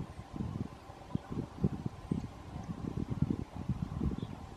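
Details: Low, rumbling wind and rustling noise with soft thumps, and no animal voice.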